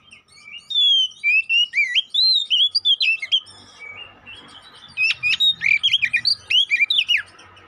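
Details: Oriental magpie-robin (kacer poci) song played as a fighting lure: rich run of varied whistled slurs and rapid chips, a quieter gap midway, then fast sharp up-and-down notes resuming.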